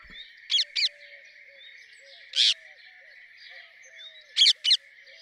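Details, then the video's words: Rose-ringed parakeet calling in short bursts: a pair of shrill screeches, a single longer harsh squawk, then another pair, separated by pauses, against a constant high-pitched background buzz. "Rose ringed parakeet Song ! Rose ringed parakeet Call ! Rose ringed parakeet Sounds !"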